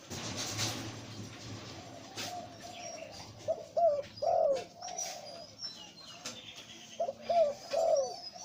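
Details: Breeding male zebra dove with a deep voice gives two phrases of rolling low coos, each opening with short staccato notes and ending in a drawn-out, downward-bending coo, after quieter murmuring notes.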